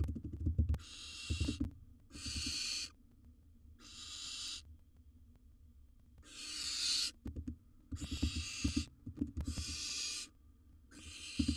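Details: A wild barn owl in its nest box hisses again and again, seven rough, airy bursts of under a second each, with clattering and scuffling in between as it swallows large prey.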